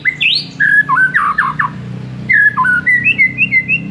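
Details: White-rumped shama master song for a mute shama: a bright upward whistle, then rapid jumbled slurred notes and a string of short, even whistled notes.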